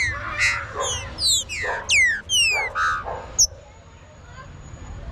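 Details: Green-winged saltator warm-up song: a run of ringing, sharply descending whistles with rich overtones, several notes per second, ending in a single high click before a quiet pause.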